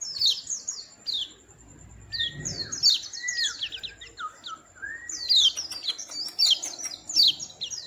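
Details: High, busy twittering of white-eye type with lower slurred whistles mixed in, possibly from more than one bird, with soft low noise in the background.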